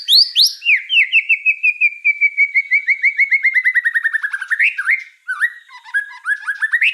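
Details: White-rumped shama singing vigorously ('gacor'): rapid trilled notes opening with high sweeps, then a long series of clear whistled pulses slowly falling in pitch, ending in varied upslurred and looping phrases; no other sounds.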